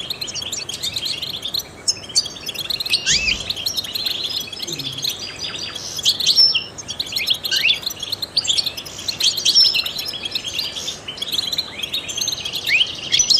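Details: Long, unbroken song from a trained European goldfinch used to stimulate other songbirds: dense high twittering, scattered chirps and short buzzy trills throughout, with a faint low sound early on.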